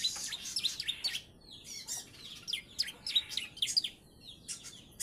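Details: Three-month-old bar-winged prinia schooled in ciblek song, uttering clustered sharp chirps and buzzy notes in irregular bursts.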